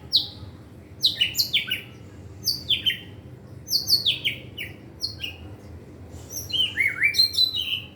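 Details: Young White-rumped shama (murai batu pastol) learning to sing, with rich varied material: rapid clusters of descending whistled slurs and sharp high notes in bursts, over a steady low hum.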